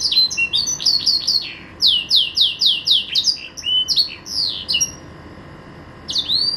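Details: Green canary, a household pet, singing a rapid series of repeated downward-sweeping high notes, several per second, pausing briefly before another sweep.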